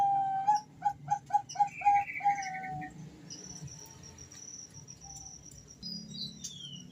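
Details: A Bangkok-type female zebra dove calls to a male: about seven quick staccato coos in a fast burst, then quieter; other faint high bird whistles and a low background hum follow.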